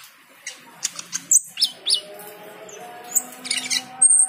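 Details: Cucak keling singing energetically on hearing the call to prayer: sharp high chirps and short whistled notes in irregular bursts over a sustained chanted voice of the call to prayer.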